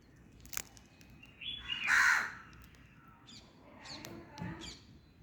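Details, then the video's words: Crow giving one harsh, buzzy caw about two seconds in, followed by scattered clicks and softer rasping notes, over a low background rumble. "Funny crow sound"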